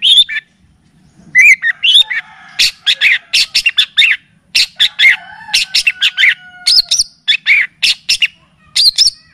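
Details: Cendet, the long-tailed shrike, in a song-training and lure recording full of kapas tembak and cililin phrases: lively, varied bursts of sharp, high chips and squeaky notes, coming rapidly with few gaps.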